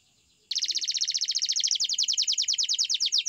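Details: Canary delivering an unbroken rapid trill of evenly repeated, high, chirping notes after a short quiet start.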